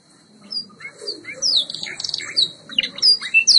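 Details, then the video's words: White Yorkshire canary, a breed developed in Bradford, England, singing in a training recording: varied warbled phrases of rising and falling whistled notes and short trills, building louder toward the end. "White Yorkshire Canary Singing TRAINING CD vol. 2"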